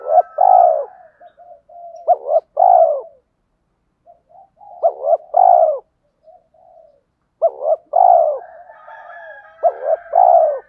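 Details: Spotted dove decoys, males and females, cooing to provoke caged birds into fighting coos: three phrases, each a clipped double note then a long rolling coo, about every three and a half seconds, with soft low murmurs between. No other sounds.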